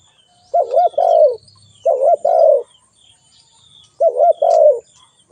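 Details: Spotted dove call, three low coo phrases spaced about two seconds apart. Each is a brief rising-falling note joined to a longer, throaty coo, with thin high bird twitters faintly behind.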